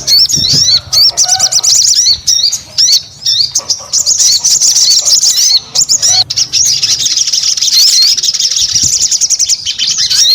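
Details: Energetic crimson sunbird (sogon) song: rapid series of high, bouncing zigzag chirps, phrases running into a long continuous thin twitter with short gaps.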